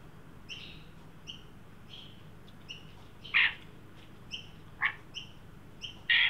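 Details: Australian magpies, an adult leading a juvenile, visit a new birdbath in a Sydney yard during a 43 °C heat wave on 9 December 2023; a thin, even note repeats under a second apart, broken by several louder harsh bursts.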